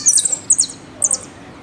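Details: Argentine goldfinch (jilguero) "El Meryl" song fragment: two or three quick bursts of very high, sharp twittering notes separated by brief pauses.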